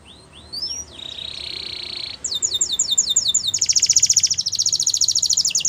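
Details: Belgian canary singing to train young canaries: a few rising whistles, a steady buzzy tone, then repeated sharp downslurs leading into a fast pulsed trill.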